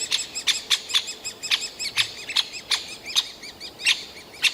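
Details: Begging calls of great spotted woodpecker chicks shortly before fledging, nest hole in a Yekaterinburg forest park, 28.06.2018; sharp, high squeaks in irregular bursts, with softer downslurred chirps between them.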